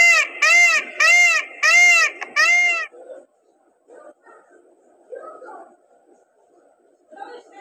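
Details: A dancing peacock gives five loud, nasal, wailing calls in quick succession, about two per second, then falls to faint scattered calls and rustling.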